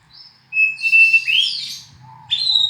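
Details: Song of a black-and-white oriental magpie-robin: a long pure whistle leading into a rich warbled flourish, then a short bright rising whistle after a pause.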